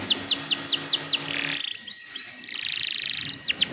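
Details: Canary song for prompting untrained canaries to sing: repeated high descending whistled slurs, a buzzy rolling phrase, then a dense trill and more falling slurs.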